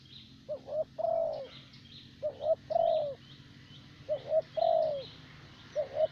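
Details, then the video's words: Spotted dove used as a decoy in Vietnam, the favoured type said to keep a mellow voice into old age. Repeated phrases of a short double coo and a long sliding croon, with faint high chirps from other birds behind. "Terkurkur លេងបានល្អបំផុតនៅវៀតណាម។"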